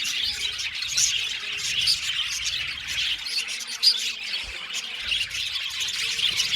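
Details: Budgerigars in an aviary colony chirping together, a dense, continuous warble of high, scratchy twitters and squeaks with no pauses, occasional sharper chirps standing out.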